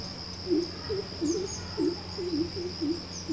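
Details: Greater coucal, also called crow pheasant, calling at Coorg, Karnataka: a run of low, deep hooting notes, about eight evenly spaced over three seconds, under a steady high insect whine and a low hum.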